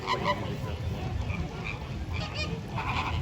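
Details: Flamingos, one standing on one leg, a flock honking in short nasal goose-like notes, a few loud bursts over steady crowd murmur and low rumble.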